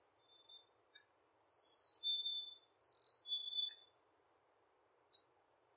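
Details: At a beaver pond in late spring, a Black-capped Chickadee whistles its clear two-note song twice, a higher pure note dropping to a lower one, over a faint low hum and a few sharp clicks.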